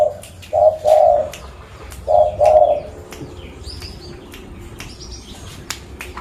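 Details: Local zebra dove in Pidie, Aceh, Indonesia, used as a lure bird: two quick pairs of soft, mid-pitched coos, then quiet with faint chirps and high thin whistles from other birds.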